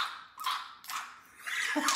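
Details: A pet parakeet that picked up barking from a dog in the building gives short, harsh, bark-like bursts in the morning, copying the dog's bark.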